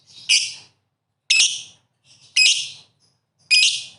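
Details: Lively lovebird giving four shrill, harsh, high-pitched shrieks spaced roughly a second apart, each dropping away quickly, with a faint softer chirp between two of them and a quiet background.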